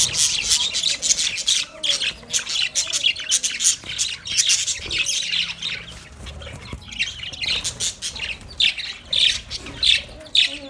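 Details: Caged budgerigars at play, described as happy, keep up a busy stream of sharp, high squawks and twittering chirps that overlap without pause.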